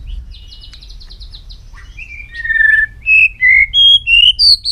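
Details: White-rumped shama with a varied long-string song. A soft rapid trill gives way to a string of five loud, clear whistled notes, each on a different pitch.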